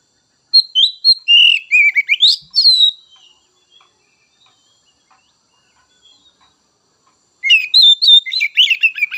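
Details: White-rumped shama song in two bursts, each a mix of falling whistles and quick scratchy chatter, separated by a silent pause of several seconds.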